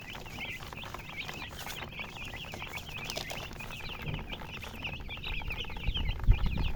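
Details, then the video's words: Chicks keep up a busy stream of shrill, slightly down-slurred cheeps, several birds calling together, and a few soft low thumps near the end. "Chicks Chirping"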